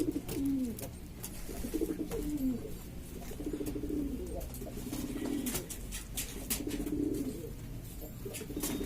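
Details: Lombok domestic pigeons, various breeds native to East Lombok, Indonesia, making a racket together. Low rolling coos repeat in uneven phrases, some with a drawn-out moaning ending, amid low rumble and sharp tapping noises.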